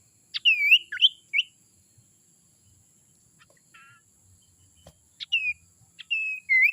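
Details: Young sirtu from the forest calling, a sound used as bait for wild birds: short looping whistles in a brief group, a quiet pause, then several more upslurred and downslurred whistles.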